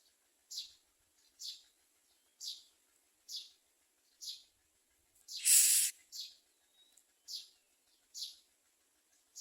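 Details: Common mynas bringing nestlings as food to their young; short harsh high-pitched calls repeated roughly once a second, with one louder broadband rasping burst midway.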